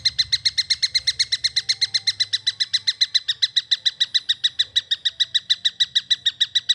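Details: Harsh, rapidly repeated notes from a young long-tailed shrike, a steady run of similar scratchy chirps without pause, with a faint low hum behind.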